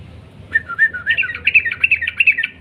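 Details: A Sooty-headed bulbul sings in the long rolling 'ropel panjang' style: fluty notes that start low and slow, then speed up into a quick run of higher, bubbly chirps.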